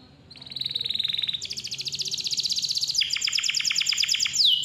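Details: Canary in full song as a lure for young or silent canaries: a buzzy trill at one pitch, then a higher, faster rolling trill, then a lower pulsed trill about four notes per second, ending in a sharp sweep.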